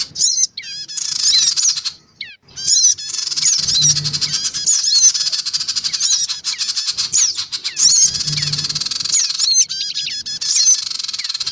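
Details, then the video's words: Black-winged cuckooshrike lure mix of adults and young, meant to gather small birds: long runs of rasping chatter with bright chirps and rapid stuttering notes, looping several times, with a faint low hum. "mp3 suara pikat sogon ribut. dan anak sogon"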